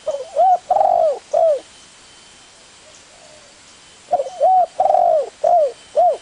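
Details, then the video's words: Two phrases of spotted dove coos about three seconds apart, each a string of soft notes with one longer sustained coo and several falling off at the end, over low background hiss. "Suara burung tekukur"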